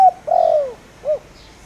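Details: Spotted dove decoy in the 'thổ đồng' voice, calling to lure wild doves; a brief fragment with a long smooth descending coo followed by a short rounded coo.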